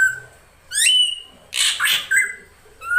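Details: Female drongo luring a male: a sharp upswept whistle, then a loud, noisy, grating double squawk, then further plain whistled notes.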